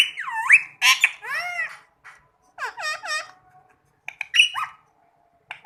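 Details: Talking green ring-neck parakeet screeching in loud looping calls that swoop down then up, in uneven groups about twice a second, with softer chatter and brief sharp notes between.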